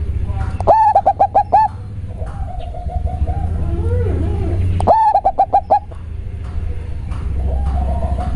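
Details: Local zebra dove with a very deep, bassy voice, giving two song bursts: quick ticking notes, then a rolling run of five or six low coos, with a softer purring trill between, over a steady low hum.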